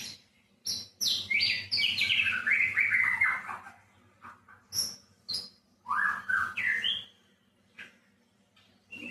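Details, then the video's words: White-rumped shama singing: a varied run of loud whistled and slurred phrases, sweeping down through a long tumbling passage, then rising whistles in short bursts separated by pauses, with a faint low hum behind. "Kicau Burung Murai Batu"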